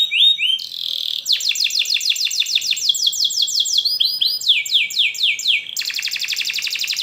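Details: Singing canary, recorded as a lure to teach young canaries to sing: high rising slurred whistles, then a long series of rapidly repeated swooping notes, brief chirp phrases and a dense closing trill.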